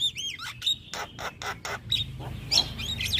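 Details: Male Javan myna serving as a song tutor for other mynas: short bent whistles, then a series of four hoarse rasping notes about half a second apart, ending in thin high whistles.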